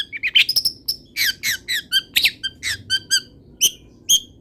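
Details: Energetic Long-tailed shrike singing full of imitated wild-bird phrases. Opens with a fast run of squeaky chirps, then loud slurred notes about twice a second, ending with spaced single high whistles.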